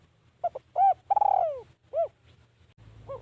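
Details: Spotted dove used as a decoy to lure wild doves, giving a few soft, hollow coos of varying length, one drawn out and falling, with a low background hum.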